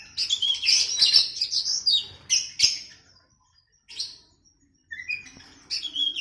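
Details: Training song of the oriental magpie-robin (kacer) for captive birds, versus a sooty-headed bulbul (kutilang): rapid bright chirps and whistled notes in a busy opening, brief pauses, then short whistled phrases resuming near the end.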